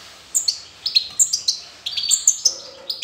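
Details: Young European goldfinch just out of the nest, 18 June 2020, calling with quick, high, thin twittering notes in short bursts of three or four per second, with a faint lower hum behind.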